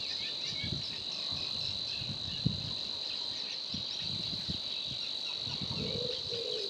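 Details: Savi's warbler at Gremandlweiher reels a steady, fast, insect-like buzzing trill without a break, over low rumbling wind or handling noise.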